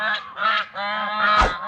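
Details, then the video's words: A flock of large domestic white geese at a house, aggressive birds that call out on seeing anyone but their owner, the male guarding them: loud, nasal, harmonic-rich honks in quick succession, several overlapping within two seconds, over a low hum. "Domestic Big White Duck Geese"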